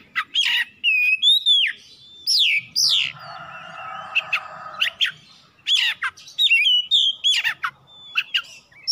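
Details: Oriental magpie-robin song as a lure to prompt other birds into song: sweeping whistles, sharp chips and a scratchy middle section, with a low hum in the background.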